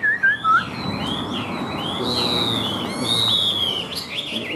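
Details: Chinese hwamei with white wings and tail, a high-singing bird with good fighting spirit, gives two short sharp notes followed by long flowing whistles that swoop up and down in a continuous phrase.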